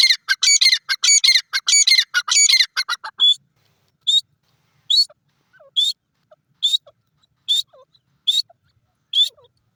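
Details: Black francolin (Irani teetar) feeding: an opening run of harsh, rasping chatter, then evenly spaced short high pips with faint lower squeaks.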